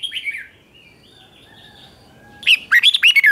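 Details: Red-whiskered bulbul song, a morning training song of 2024 in the local style called chè kích bổi: faint thin whistles at first, then a loud burst of quick warbled, rising and falling phrases near the end.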